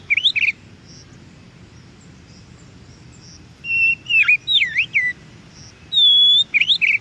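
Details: Oriental magpie-robin in the wild, its song meant to stir captive birds into replying: brief bursts of sweet whistles, a quick upslurred figure, then after a pause a dipping slurred phrase and a long level note.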